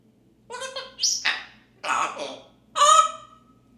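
An African grey parrot imitates a turkey's gobble in four harsh, honking bursts spread over about three seconds, each rich in overtones, the last drawn out and falling away.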